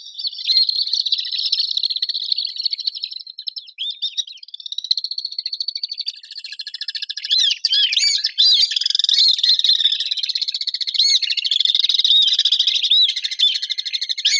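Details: Urban common swifts producing overlapping shrill screaming trills nearly nonstop for fourteen seconds, several voices layered, with brief swooping, upslurred notes mixed in midway and a densely buzzing, high texture.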